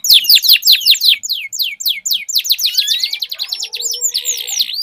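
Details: Canaries in a duel, sweet long-rolling song: loud falling notes in quick succession, faster trilled downsweeps, ending in a buzzy roll with faint lower tones beneath.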